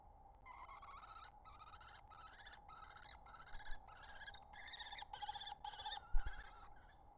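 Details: A wild common kestrel at a nest in spring 2023, where the male brings food and incubates eggs, gives about nine harsh, whining notes at an even pace, roughly two per second, over a low background rumble.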